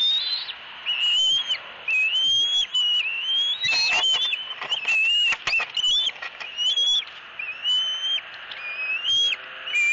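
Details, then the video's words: Screaming eaglet at a Southwest Florida nest on 3 April 2018, demanding a fish from its mother. Clear whistled squeals, each rising then flattening, repeated about once a second between harsh bursts of wing and branch noise. "SWFL Eagles ~ Harriet Maintains Control ~ Screaming E11"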